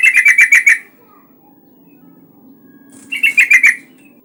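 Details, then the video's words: Yellow-vented bulbul in full song, used to prompt others to sing: a quick rattling run of about seven pulsed notes, a quiet gap with low hum, then a second similar burst. "Suara pancingan burung trucukan gacor agar bunyi"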